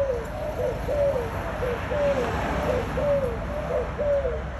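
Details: Spotted dove song, clear low coos that rise then slide down, given at a regular pace of roughly one per second, with steady low hum behind.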